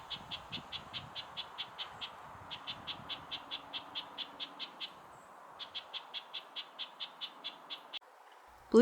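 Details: A nuthatch alarm-calls from up in a tree after collecting peanut pieces: a long run of short, nasal, even-pitched notes, about four per second, with a brief pause, ending in a sharp clatter.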